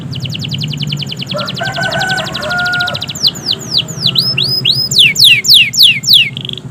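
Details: Long, lively canary song played to stimulate canaries that seldom sing: a rapid high trill of even notes, then looping downslurred whistles and steep descending sweeps, over a low background hum and faint mid-pitched tones.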